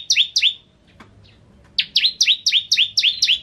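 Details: Bar-winged prinia, known locally as ciblek kristal, in full song for a tutor recording: two high slurred chips, a second-long pause, then a quick regular string of eight bright descending notes.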